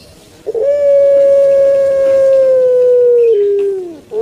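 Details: Kept puter pelung turtle dove from Java, Indonesia, giving its long, thick coo: a short stuttered note, then one steady resonant hoot held about three seconds that steps down and fades into a falling tail.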